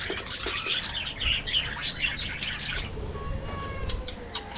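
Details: Budgies in an aviary colony chirp and warble in a lively overlapping burst for about three seconds, then fade to a few scattered notes with faint thin tonal whistles in the background.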